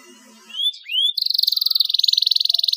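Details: Singing canary on a recording meant to stimulate other canaries. A couple of rising whistled slurs lead into a long, even, rapid trill of fast-pulsed high notes.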